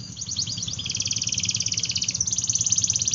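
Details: AF canary in full song, offered as a lure for reluctant and young canaries: a dense, high, fast rolling trill that shifts pitch slightly partway through, heard somewhat faint over a low background hum.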